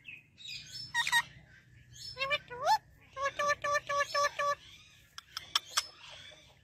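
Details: Male rose-ringed parakeet from Pakistan talking in Urdu or Hindi: rising speech-like syllables, then a rapid string of six even, buzzy harmonic notes, followed by sharp clicks and chatter over a low hum.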